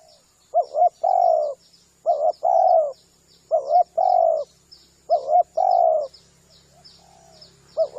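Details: Spotted dove coos used to lure spotted doves, with four rhythmic phrases of a clipped double note and a long burred coo, while small birds chirp thinly and repeatedly in the background.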